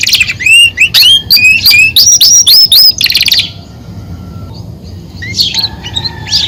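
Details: Male Belgian canary, a caged songbird, singing to excite the female and assert dominance over his place: a loud series of rapid whistled rising notes repeated about twice a second, then a pause and softer twittering.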